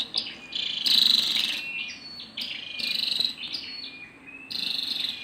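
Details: Female scarlet-backed flowerpecker uttering high, thin chipping and buzzy call bursts in loose groups, slightly softer and more blurred, with faint background hiss.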